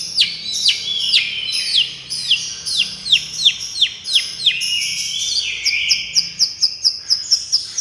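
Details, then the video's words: Miyik-style therapy song of a long-tailed shrike, used as a lure: repeated down-slurred whistles at a steady pace, then a fast run of short high chirps toward the end. "suaara terapi cendet miyik"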